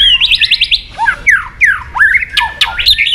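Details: {'caption': 'Provocation song of a white-rumped shama: a fast run of five or so rising notes, then loud, sweeping slurred whistles and rough warbled phrases.'}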